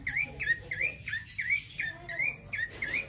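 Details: Male bar-winged prinia in continuous rolling song: a rapid series of sharp, bright chirped notes, each a quick down-up inflection, about nine in three seconds at a steady, insistent pace, with faint low background rumble.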